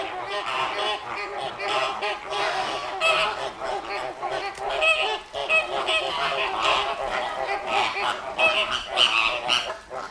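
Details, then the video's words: Continuous clamour of many flamingos at Llanelli Wetland Centre, Wales, August 2021: harsh, overlapping honks with higher nasal notes layered on top, steady loudness throughout. "Noisy flamingos"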